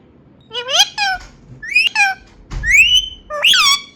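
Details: Pet Indian ringneck parakeet indoors in a small room, giving a run of loud harmonic squawks and whistled, rising-falling notes, several phrases over four seconds with short pauses, possibly speech-like mimicry.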